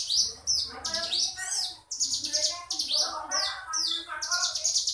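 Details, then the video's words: Crescent-chested warbler singing in the ngebrem style: dense, high-pitched chirps and thin descending whistles in rapid bursts with almost no pauses, over lower harmonic warbling tones. "Suara Burung Ciblek Gunung Ngebrem"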